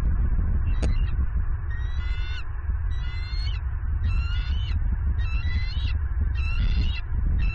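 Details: Female bald eagle claiming a fish brought to the nest by her mate, Southwest Florida, 27 November 2022. A sharp click comes first, then six clustered high, harmonic chirping bursts spaced roughly a second apart against heavy low-frequency wind.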